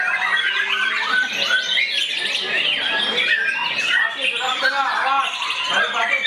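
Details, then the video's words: White-rumped shama actively confronting a rival, singing an unbroken jumble of chattering notes, clear whistles and rapid trills. A steady low hum runs beneath the first second. "Murai Ketua SMM ini Aktif Nyerang Lawan"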